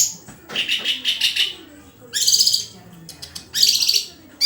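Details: Murai, a white-rumped shama, pouring out loud chattering song with shrill high rattles in separate bursts, with faint low background sounds between phrases.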